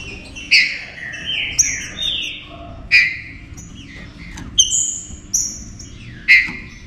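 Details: Green-winged saltator singing an agitated warm-up song meant to stir other saltators into singing. Loud, slurred whistled phrases glide downward, with sharp high notes between them, coming every few seconds over a faint low background hum.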